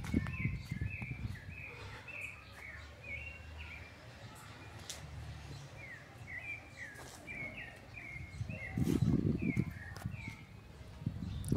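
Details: Thrush (sabiá) singing at 5:30 in the afternoon in August 2020 near a flowering avocado tree: loud, short whistled notes repeated rapidly in a long run. A low rumble sits underneath, with bursts of noise and a man's voice.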